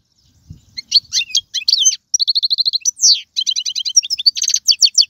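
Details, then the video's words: Algerian European goldfinch kept in captivity, delivering galoubi and kastakasta style phrases: scratchy chatter, then a rapid level trill, a falling sweep, and rhythmic repeated doubled notes ending in buzzy rolls. "مقنين طيواواطي قالوبي و سرفاتي, هذا الحسون ليس له مثيل"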